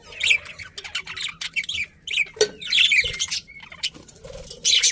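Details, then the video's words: Budgies giving a busy stream of chirps, short whistled notes and scratchy chatter, with loud squawky bursts at intervals and a brief clear whistle near the end. "Cute Birds Chirping Sounds #Beautiful Budgies"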